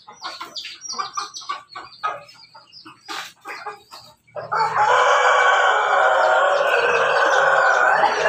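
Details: Rooster of a Pelung, Bangkok and Ketawa cross at morning feeding: quick staccato clucks for about four seconds, then one long, loud, sustained crow held steadily to the end.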